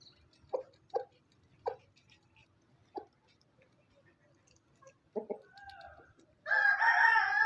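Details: Rooster recorded on a farm: four short low clucks spaced about a second apart, a double cluck, then a loud, harsh crow begins and fills the final second.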